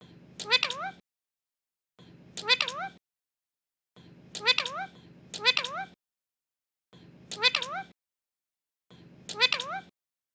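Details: Pet Indian ringneck parrot speaking imitated words: five similar phrases about every two seconds. Each has a soft onset, then bright harmonic swoops that rise and fall, over a faint low hum. Quiet gaps separate the phrases.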